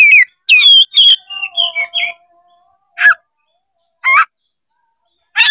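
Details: Kacer, the Oriental magpie-robin, opening its tail while singing to provoke a fight: a quick cluster of whistled and warbled notes, then single sharp notes spaced about a second apart.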